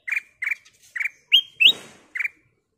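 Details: Ruby-throated bulbul used to draw other birds into song: six crisp whistled notes, two of them sharply rising slurs, spaced about every third of a second in near silence.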